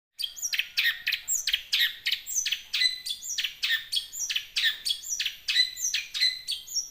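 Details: Young wild long-tailed shrike singing, used as a lure to make caged shrikes sing; a fast run of harsh, buzzy chattering notes, roughly ten per second, each with a high whistled upslur, continuing steadily with no other sounds.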